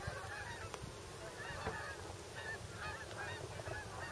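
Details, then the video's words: Geese on migration arriving at Bombay Hook refuge in Delaware, USA; a chorus of overlapping honks from numerous birds, with low rumbling noise. "Migrating Geese, Bombay Hook National Wildlife Refuge"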